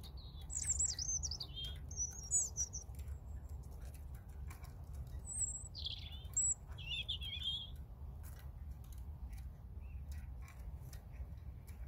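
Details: A European robin delivers separate high, tinkling phrases spaced a few seconds apart: squeaky rising and falling warbles and brief piercing whistles, then quiet, with a constant low rumble throughout.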